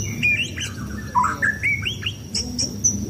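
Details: Sunbathing contest white-rumped shama giving varied short whistles stepping down and up in pitch, several notes per second, with thin high chips and a soft background hum.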